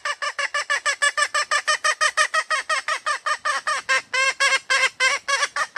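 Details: A female red junglefowl calling for a mate gives a continuous run of fast, buzzy, harmonic cackles, about five a second, growing slightly longer and more drawn toward the end.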